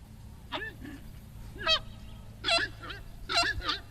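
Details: Horned screamer song: loud, honking goose-like calls in spaced pairs, each with a nasal upper part over a lower looping tone. A steady low hum runs underneath.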